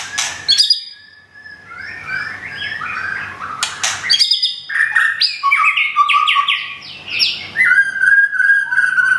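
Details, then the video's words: White-rumped shama, a Thung Song bird kept caged in Thailand and nearly through its moult, delivers a rich, varied song of fluty whistles, rising and falling slurs and harsh bursts, with brief pauses between phrases. "บินหลาดงทุ่งสง shama bird murai batu thailand"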